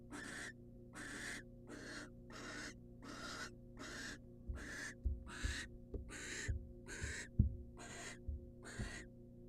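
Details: Wild female barn owl in a monitored nest box, receiving a rat from the male: harsh, breathy hissing screeches about half a second long, repeated roughly every second, with soft low thumps and knocks in between.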